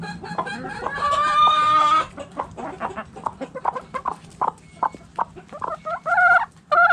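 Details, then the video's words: Hens in a backyard chicken coop: one long, loud harmonic cackle, then a string of sharp short clucks at irregular spacing and two brief rising calls at the close. "Sounds Noises Hens Clucking Roosters Crowing!"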